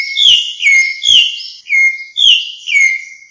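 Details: Grey-backed thrush calling its flock: clean, loud whistled notes sliding down from about high to lower pitch, repeated roughly twice a second in a steady series, with no background noise.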